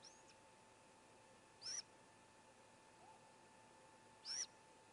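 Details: Great Gray Owl owlets at a nest, one of four young swallowing a whole vole while a sibling calls: high, thin, hissing screeches about 2.7 seconds apart, with a faint steady hum underneath.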